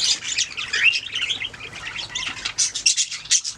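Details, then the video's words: Budgerigars singing with rapid high chattering and warbling chirps, ending in a few sharper separate chirps. "Budgies singing making sounds chirping"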